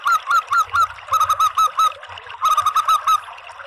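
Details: Zebra dove calling as a lure for other doves: grouped phrases of quick, hollow, slightly rising coos, three bursts of four to six notes with brief gaps between them.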